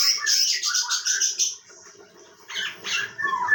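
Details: Chinese bulbul from Bekasi Timur, Indonesia, used as a vocal tutor bird, sings a rapid run of clear whistled notes, then falls quiet before a second bright chattering burst.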